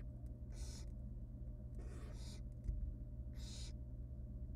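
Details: Begging nestlings of a wild barn owl, fed tiny bits of rabbit by the female inside a monitored nest box; three drawn-out breathy screeches, the middle one longest, against a low steady hum.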